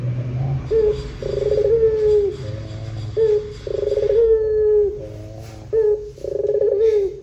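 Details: Lure recording of a Barbary dove with long pelung coos: repeated rolling bursts each ending in a drawn-out, slightly falling hollow note, about every one and a half seconds, over a low humming background.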